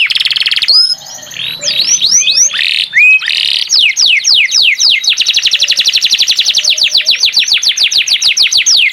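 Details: Canary in lively song, mixing buzzy notes and upward whistles before a sustained run of quick, evenly repeated descending chirps.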